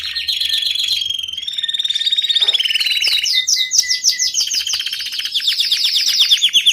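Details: Belgian canary kept as a domestic bird, singing a continuous rolling song of fast trills and buzzy runs, shifting through several phrases with a short steady whistled tone in the middle.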